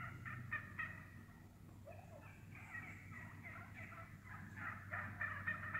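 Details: A flock of wild turkeys feeding through the woods gives sharp, rapid clucks and cutting notes, several a second, over soft rolling purrs, with a low steady rumble beneath.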